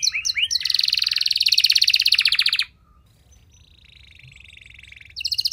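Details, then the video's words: Canary in full, long-bursting song meant to prompt other canaries to reply: a few quick sweeps lead into a dense, fast rattling trill, a quiet pause with a faint thin trill, then a loud trill resumes. "Kenari Mana Saja Bakal Nyaut Cepat Respon Jadi Gacor Nembak Panjang"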